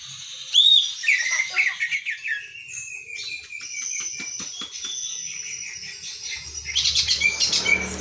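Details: Greater green leafbird, a very young caged bird recorded on an overcast morning, gives a rich, varied song of high clear whistles, slurred notes and quick chips, with a burst of rustling near the end.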